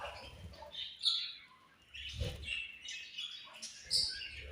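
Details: Several Australian budgies chattering almost nonstop: overlapping high twittering, squeaky chirps and warbled phrases, with a few soft thuds in the background.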